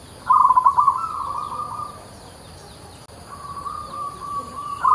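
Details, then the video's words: Local zebra dove, kept as a songbird and praised as a keen singer with an unusual voice: a quick burst of staccato cooing notes runs into a long steady purring trill, then a pause, another drawn-out trill, and clipped notes at the end. "PERKUTUT LOKAL GACOR SUARA ANTIK"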